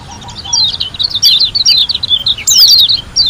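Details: Lombok white-eye (pleci) in full 'gacor' song. A fast, almost continuous string of high, sharp, zigzagging chirps runs with only brief gaps. One louder descending burst comes near the end.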